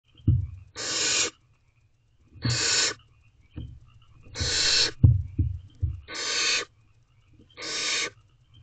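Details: Barn owl owlets in a nest box at 9:57 pm on 5/8/23, taking turns feeding on a rabbit; five long, harsh, broadband hissing screeches about a second each, separated by pauses, with soft low thumps and scuffling between.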